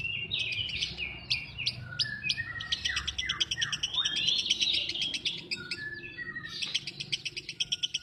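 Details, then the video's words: Lovebird singing a busy, high twittering stream with rapid squeaks, falling slurred whistles in the middle and a fast, evenly pulsed chatter closing the phrase. "Love bird"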